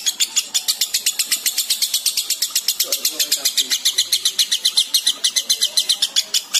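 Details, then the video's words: Breeding-condition lovebird in continuous ngekek, a fast stream of sharp, piercing chatter notes repeated nearly four times a second with steady rhythm throughout. "LOVEBIRD BIRAHI SAMBUNG NGEKEK"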